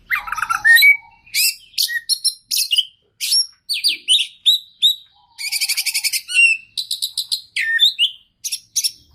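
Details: Oriental magpie-robin (kacer) singing energetically, a full 'isian' song: rapid varied phrases of sharp whistles, rising and falling sweeps and buzzy trills, one burst after another with short pauses between.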